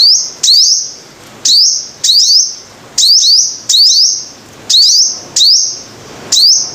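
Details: Five-colour sunbird singing: loud, high, sharp phrases with quick rising sweeps, repeated roughly once a second, over a steady background hiss.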